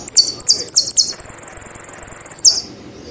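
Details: Saffron finch, known locally as jilguero argentino, singing: four sharp downslurred buzzy notes, then a rapid steady trill of roughly twenty-five pulses ending in a final downslur; background quiet.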